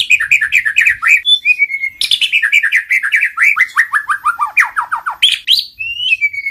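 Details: White-rumped shama song, kéo thuốc lào and giọng dây style, for voice training: long runs of rapid, slurred, descending notes broken by short pure whistles, sung loudly and almost without pause.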